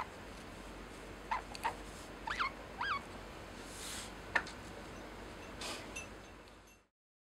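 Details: A pet lineolated parakeet chatters a quick run of small, scratchy rising-and-falling syllables imitating the phrase "daisuki" ("love you"), followed by a few soft clicks over a steady background hiss.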